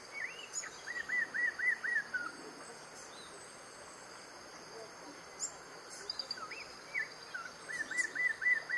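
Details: Regal sunbird, an Albertine Rift endemic, in Bwindi Impenetrable Forest, Uganda, sings a quick run of five or six arched chirps, repeated after a pause, with thin high notes above and steady background hiss.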